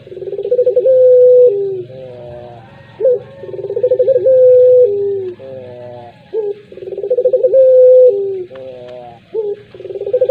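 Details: Puter pelung dove gives repeated long coos. Each starts with a sharp upslurred note and a string of quick pulses, stretches into a sustained even tone, and sinks lower. Three phrases with rising, quavering tones between them.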